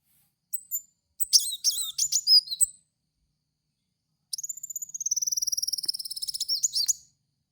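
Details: Kolibri wulung lure song for cage-bird training: scratchy high twittering notes, a pause, then a long, steady, fast trill lasting nearly three seconds.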